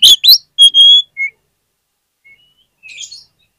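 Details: Lure song of an oriental magpie-robin, meant to make other magpie-robins sing: loud sharp chipping notes and a long clear high whistle, followed by fainter short whistles and a soft buzzy trill.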